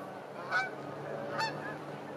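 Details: Geese at a park during a winter sunset. Two short, nasal honks sound half a second and about a second apart over steady wind and the hum of distant cars.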